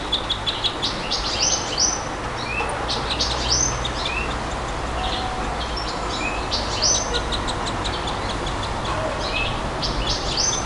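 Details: Varied nightingale song: repeated phrases of high chirps, short whistles and brief rising slurs spread across the recording, with low steady background noise.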